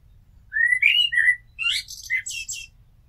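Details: A common blackbird sings one phrase: mellow rising fluted whistles followed by a burst of thin, high twittering notes, on a very quiet background.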